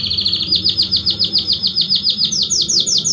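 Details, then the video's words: Belgian canary delivering rapid repeated downslurred notes, about four per second, in a rolling series that shifts higher toward the end; steady low hum underneath. "Canário Belga Estourado esquente seu canário belga em 30 minutos"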